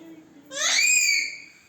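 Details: Parrot known locally as Kashmiri ra giving a single squawked utterance that climbs quickly and then holds steady for about half a second before fading, sounding rich and nasal.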